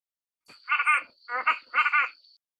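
Cotton pygmy goose giving three quick, nasal, cackling notes over about a second and a half, with a thin steady high whine behind.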